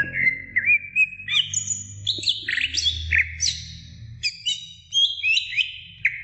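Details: Greater green leafbird song to get young birds singing: a lively, varied string of whistled notes with quick upward and downward slurs, some high and thin, over faint low rumbling.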